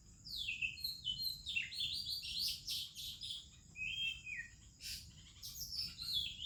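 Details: Oriental magpie-robin singing in the morning among other birds in India: rich, varied whistled phrases, sliding and warbling, with rapid chirps and a steady high insect-like hiss behind.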